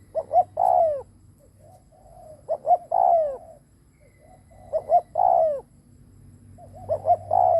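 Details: Spotted dove used as a lure, cooing in a steady cycle. Paired short notes lead into a strong, downward-bending coo, repeated four times with faint coos in the gaps.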